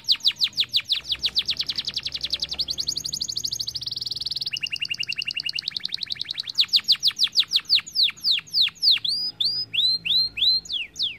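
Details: Canary singing to stimulate other birds. Long rolling trills of rapid repeated notes change pace and pitch, from steady buzzing runs to slower, spaced sweeping whistles near the end.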